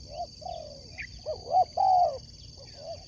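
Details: Spotted dove in sport dove competition keeping, soft coos leading into two sharp hooked notes and a loud sustained falling coo, then a fading final coo; a high chirp from another bird and constant hum.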